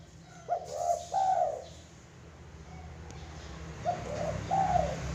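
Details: Zebra dove cooing: two soft, rounded coo phrases near the start and two more after a quiet gap, mid-pitched and slightly wavering, over a steady low hum.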